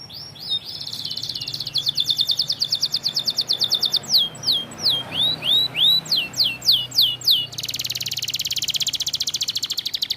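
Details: White canary singing energetically: a rapid high trill of repeated notes, then a row of clear downward-sweeping whistles, followed by a dense fast buzzy trill near the end.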